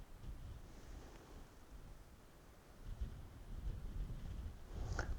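Low wind rumble and faint background noise fill the recording, with a soft click near the end and no clear animal calls.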